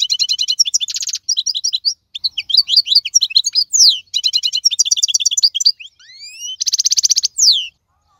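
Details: Wild European goldfinch of the 2022 season pouring out rapid metallic twitters, short buzzy trills and upward-sweeping whistled slurs, with a dry rattle toward the close.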